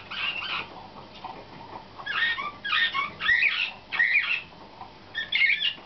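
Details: Young slavujar canary from 2013, trained for competition, delivers short separate bursts of squeaky, twittering whistled notes with pauses between them in a quiet room.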